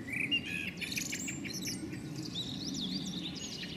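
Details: A female common blackbird grumbles on a house roof shortly before taking off. Dense high, thin chirps and twittering notes follow one another rapidly throughout, with low rumbling outdoor noise underneath.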